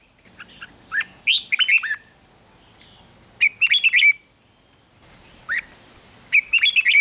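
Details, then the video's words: Rik-style song of a caged red-whiskered bulbul in Thailand: repeated bursts of rapid, bubbling whistled notes, with higher thin chirps from other birds around them. "เสียงนกกรงหัวจุก ร้อง ริก เปิดให้นกฟัง ยั่วให้นกคึกจัด"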